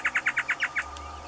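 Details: Male great antshrike singing in the caatinga: a short run of seven evenly spaced, bouncy mid-pitched notes over about a second, then quiet with a low steady hum behind.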